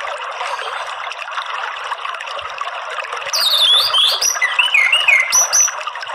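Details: Orange-headed thrush, in a recording used as sound therapy to get captive birds to sing loudly, giving rich, varied whistled phrases with rising and falling slurs and quick high notes, over a steady hiss of running water.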